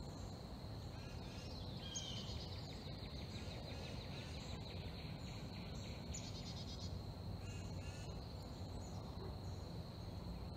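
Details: Forest birds chirping as the morning sun rises: bursts of short, high chirps and trilled notes, clustered early and again midway, over a steady low rumble and a constant thin high-pitched whine.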